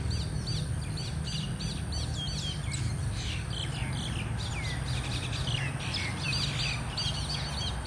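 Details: A group of mynas fighting in Thailand: dense, overlapping squeaky chatter of short rising and falling notes, many birds calling at once, over a steady low rumble of background noise.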